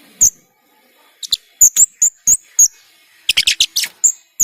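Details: Monotonous, repeated high thin chirps from a white-shouldered starling kept as a master song bird, given in quick irregular bursts with a brief denser cluster near the end.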